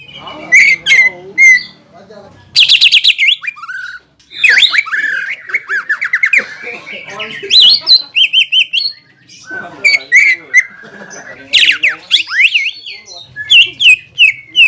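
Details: Greater green leafbird, a cage bird's loud song used to provoke a rival into singing: rich varied whistles, rapid chattering bursts and slurred rising notes, delivered in dense phrases with brief pauses, plus a faint low hum beneath.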